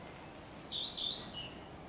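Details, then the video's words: Common Redstart song recorded 12 May 2023 alongside a blackbird: one brief high phrase, a thin opening whistle followed by a fast cluster of slurred descending notes and a short higher flourish, with soft background hiss. "Śpiew pleszki i kosa."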